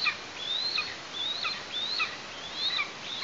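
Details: Thin, high, drawn-out whistles from an Eastern imperial eagle chick in its Tatarstan nest, 16 August 2023, as the parents deliver food. Each note rises, holds, and ends in a short downslur, roughly once a second.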